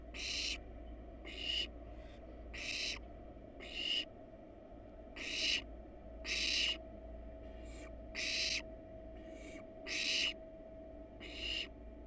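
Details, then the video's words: Wild barn owl family at a nest box, both parents resting on the box while nestlings stay inside; a long run of rasping, hissy bursts repeated roughly every second, some fainter, with constant background hum. "Family barn owl portrait. Mom and Dad rest on the box while the nestlings are inside."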